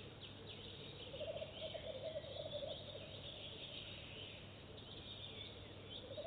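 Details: At a nest box visited for the first time, a Goosander that lays eggs there immediately gives a fast, rattling series of low croaks, followed by the start of another series; faint small-bird chirps above.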